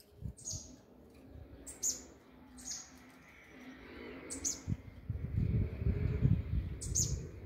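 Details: Double-collared seedeater (coleiro) with the 'do grego' mexida: high sharp chips and quick downslurs roughly every second, then rising low rustling and bumping noise toward the end.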